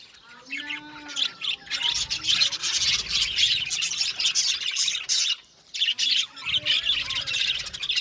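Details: Chorus of budgerigars in an aviary colony, a continuous wash of high, rapid chirps and warbling chatter, opening with a few clear low whistled notes, briefly pausing midway before resuming.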